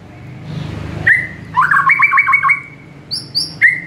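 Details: Murai batu, the White-rumped shama, in a morning training recording for caged birds. Soft rushing noise gives way to an upslurred whistle and a quick rattling phrase of repeated notes, ending with two high whistles and another rising note.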